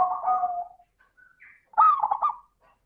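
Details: Zebra dove lure song in the clear 'crystal' voice: a trilled coo ends and is followed by a brief high chirp from another bird, then a sharp, bubbling coo burst.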